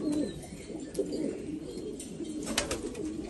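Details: Black Afghan pigeons from Afghanistan coo in low, murmuring bursts, some louder notes near the start, with scattered clicks and a hissing background.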